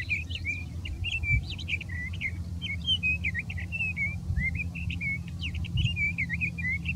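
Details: Sage thrasher singing from dense big sagebrush near Silver City, Lewis and Clark County, Montana: a continuous run of warbled, twisting phrases with no pauses, quick slurred notes rising and falling, over a steady low hum.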